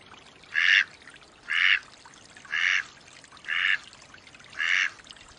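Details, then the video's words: Wild mallard quacking steadily, five loud, harsh nasal quacks spaced about one second apart, with faint background hiss between them. "Mallard duck quack / call sounds"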